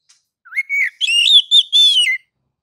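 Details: Oriental magpie-robin (kacer) in ngeplong song style, used as a master recording to prompt other kacer to sing: a low rising whistle, then long slurred clear whistles in several bursts over under two seconds. Background silent.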